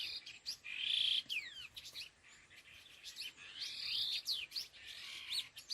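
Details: Laughingthrush known locally as khứu lùn, calling in the style named đôi hung gọi đằng: loud whistled notes and sweeping slurs, some falling sharply, in two bursts with short sharp chirps between.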